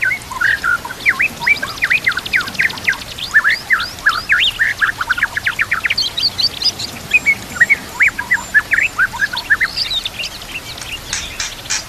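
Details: White-rumped shama song used to train shamas to sing, over nature sounds with trickling water: fast, rhythmic series of sharp upward-sweeping notes and clear whistles, with rapid chattering trills in places.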